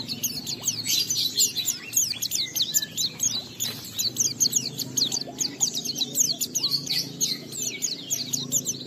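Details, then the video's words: Oriental white-eye lure song meant to make caged white-eyes sing and reveal their imitated material: a long, even flow of high, rapid twitters and thin quick whistles. "Pleci Bahan Segera Ngalas Nembak dan Bongkar isian setelah diperdengarkan pleci gacor ini"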